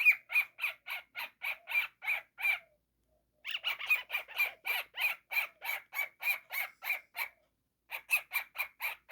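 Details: Baby cockatiel kept as a pet gives long runs of grating squawks, around three or four each second, broken by two brief silences, the calls harsh, buzzy and fairly even in pitch throughout.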